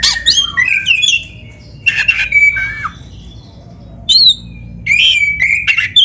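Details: Black-breasted magpie-robin (kacer dada hitam) delivering canary-flavoured song: buzzy, harsh notes mixed with bright whistles, in bursts broken by short silences.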